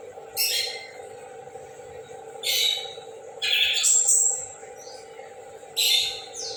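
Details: Orange-headed thrush singing in the morning: short bursts of bright, buzzy high notes repeated at intervals of about two seconds, over a steady low hum.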